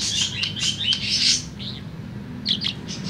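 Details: Tame budgerigar singing in the afternoon: a fast, dense chatter of high chirps and warbled notes for about a second and a half, a short pause, then a few more sharp chirps.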